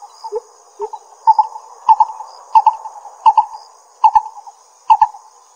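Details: Pingtung County, Taiwan, 22 May 2016: a lesser coucal gives a few low rising notes, then paired mid-pitched hollow notes repeated roughly every 0.7 seconds, with a constant high-pitched insect drone behind.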